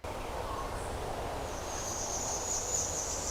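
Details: A Bananaquit in Negril, Jamaica, landed on a thick branch and sang; the speaker thought it looked young rather than adult. It gives a thin, very high, buzzy wheezing song for under two seconds, over broadband noise and a low rumble.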